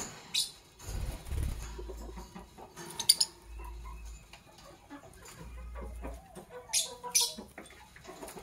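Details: In the morning, Parblue Violet and Pastel Green Opaline Fischer's lovebirds give piercing, buzzy chirps: one sharp burst early, another pair near the end, separated by faint rustling and low bumps.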